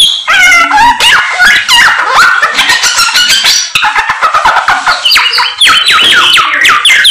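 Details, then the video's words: Chinese hwamei (samyong) singing busily and persistently: loud, rich, fast-changing whistled phrases with rapid slurred notes, trills and sharp upward and downward sweeps, delivered almost without pause. "BURUNG SAMYONG GACOR, ADUHAI SUARANYA MANTAP"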